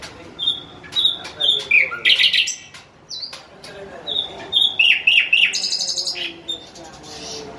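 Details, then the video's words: Bulbul singing: clear whistled notes and rapid chirps, high and thin, with short trilled phrases and brief buzzy bursts repeated in quick succession. Faint background noise throughout. "Nice sound bulbul khazar"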